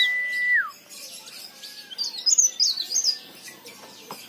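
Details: A steady whistled tone ending in a downward slide, then a high, rapid burst of twittering leaf warbler song with fluttering, rising and falling notes. The recording is a lure to stir other leaf warblers into song.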